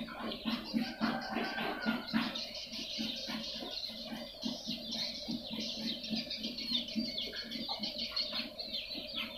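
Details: Swiftlet lure sound, made to attract swiftlets: dense, loud twittering chatter of high chirps with a steady run of low ticking pulses underneath, about three or four per second.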